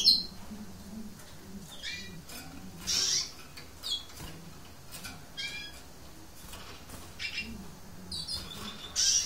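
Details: Lesser goldfinch, subspecies hesperophila, gives a run of high, thin chirps and twittering notes, some sliding downward, scattered through the recording with a few louder bursts over a soft low rumble.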